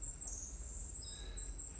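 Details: A male Savannah Sparrow's song with a stutter, an individually distinctive song a male sings unchanged his whole life: very high, thin, insect-like buzzes with a couple of short lower tones, over a steady low room hum.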